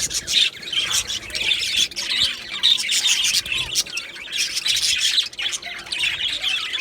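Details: Colony of Australian budgerigars in an aviary, recorded 15 July 2025: a dense, unbroken chorus of high, scratchy chirps, warbles and squawks from many birds at once, with no pauses.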